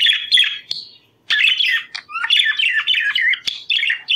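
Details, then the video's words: Budgerigar chatter used to stimulate breeding condition: a fast, scratchy warble with bursts of squeaky chirps and rasping notes running together after a brief pause. "ESTIMULA CELO PERIQUITOS"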